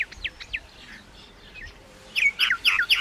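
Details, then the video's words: Myna giving a few soft whistled slurs, then a louder burst of sharp, bright chirps repeated about four times a second near the end. "maina sound Effects"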